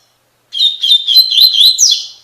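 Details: Song of a double-collared seedeater in the Tui Tui Fibra style, meant for training caged birds; a longer phrase of quick, warbled whistles climbing at the end into a sharp upward sweep, with no other sounds.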